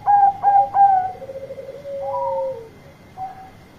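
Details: Zebra dove of the Bangkok type singing loud and often to call companions. It gives three bright, stacked coos in rapid series, then a drawn-out, wavering low trill that falls away, and a short soft coo.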